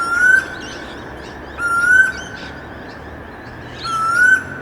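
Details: A Pacific koel (storm bird) in a suburb in the late afternoon gives three loud, rising whistled calls about two seconds apart, over faint high twittering from other small birds.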